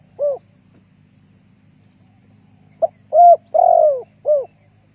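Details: Lure song of a spotted dove meant to draw in other doves: a lone soft hoot, a pause, then a phrase of a sharp short note, a level coo, a long falling coo and a closing hoot over low steady hum.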